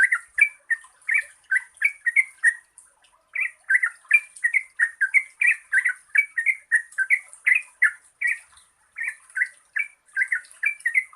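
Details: Trucukan (Yellow-vented bulbul) giving its long 'gacor ropel' song as a lure for birds that sing little: continuous bubbly, chattering phrases of quick slurred notes, with a brief pause after three seconds and a faint hiss above.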